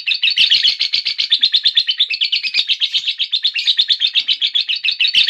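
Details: Ngekek panjang, the long chattering song of a lovebird: an unbroken run of fast buzzy pulses, roughly eight per second, held steady and loud throughout with no pause.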